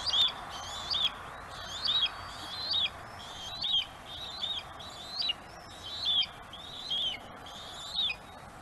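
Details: Bald eagle at a webcam-monitored nest on Gabriola island, an adult mantling and keeping prey while a juvenile waits its turn and tries to steal it; high, thin whistled notes, each rising then falling, repeated about every second.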